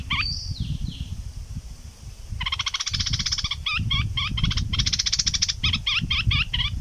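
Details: Thick-billed flowerpecker from southern Thailand, used as a decoy sound: rapid, buzzy trains of short ticking notes alternating with looping high chips, over steady loud low rumbling noise.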